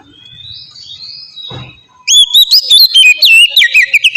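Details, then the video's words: Oriental magpie-robin, ngeplong song used as a lure for young birds: a long faint whistle and a thump, then a sudden loud, fast series of ringing whistled and slurred notes. "suara burung kacer ngeplong gacor sangat ampuh buat pancingan kacer bahan bikin cepat gacor"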